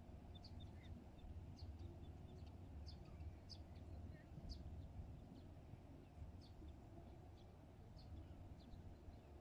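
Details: Great crested grebe with chicks at Pärnu, 17 June 2024, 10:00: thin, high piping notes repeated irregularly, about one or two a second, over a steady low engine-like rumble.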